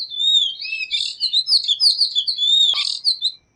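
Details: Continuous warbling tanager song of fluid, slurred whistles, rising and falling without a break for over three seconds, with scattered fainter chips underneath.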